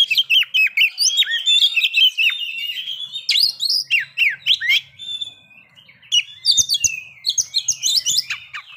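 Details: Song of a captive white-rumped shama meant to trigger breeding condition and aggression: dense warbled whistles and chips, a short quieter pause, then high, rapid twittering phrases return.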